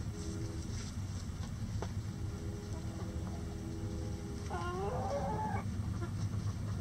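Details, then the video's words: Backyard rooster crowing in light rain at the coop while the chickens scratch about: a single harsh, stacked crow lasting about a second, rising at the start and then held, set against constant rain hiss. "Rooster Crowing In The Rain"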